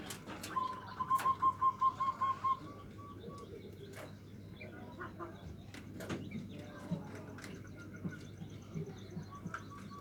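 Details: Local zebra dove giving the 'nutut' style of song, a recording meant to provoke rival birds: a quick run of about eight short, even cooing notes, then quieter scattered notes and clicks over a low steady hum.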